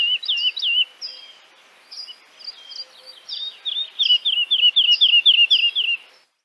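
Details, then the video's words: A woodlark from Central Russia sings sweet, liquid whistled notes, first a few looping phrases, then a fast run of repeated fluting notes, about four a second, that trail off. "Forest Lark (Yula)"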